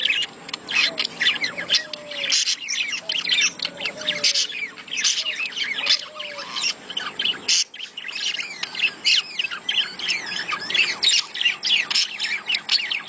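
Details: Budgerigars chattering in mating mood, used to stimulate breeding: nonstop rapid chirps and scratchy warbles from several birds, with occasional short clear whistled slurs lower down.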